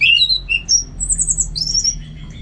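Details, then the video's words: Orange-headed thrush singing loudly: sweet, high slurred whistles that climb into very thin, shrill drawn-out notes, with a faint low hum behind. "Super Kicauan ANIS MERAH Gacor"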